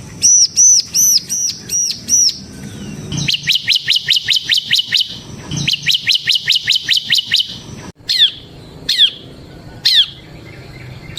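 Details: Bar-winged prinia of the semi type in ngebren song, used as a lure and tutor for other prinias. High arched whistles lead into two long, fast trills of sharp notes, then several spaced, steep downslurred calls.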